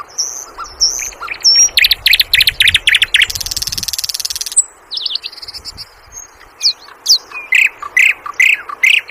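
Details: Sikatan londo flycatcher in varied song: high thin whistles, a rapid series of sharp notes, a sustained buzzy trill, then slurred whistles and loud clipped chirps repeated in irregular bursts.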